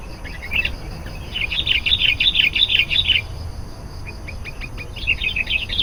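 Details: Lure song of a sooty-headed bulbul for calling wild birds: a long string of quick, rolling, slightly fainter notes, a pause with scattered soft ticks, then another bubbly burst at the end.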